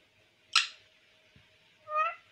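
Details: Talking pet parrot indoors: a sharp harsh squawk followed a moment later by a rising, nasal harmonic call, over a faint constant hum.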